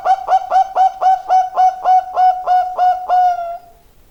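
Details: Rapid series of about eleven clipped, bell-like coos from a zebra dove, evenly paced and slightly slowing before trailing off.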